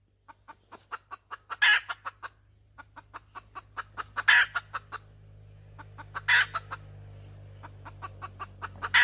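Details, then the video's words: Cackling hen, a string of evenly spaced clucks broken by loud ragged squawks roughly every two to three seconds, over a steady low droning hum. "Suab poj qaib tsauj dib tuaj zoo heev"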